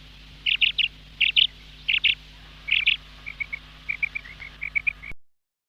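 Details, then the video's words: Calling female quail gives four high double chirps spaced evenly, then switches to softer, quicker triplets of short clipped notes before the sound cuts off, with a faint low hum underneath. "Madi Batair Ki Awaz 2026 , Female Quail Sound Effect"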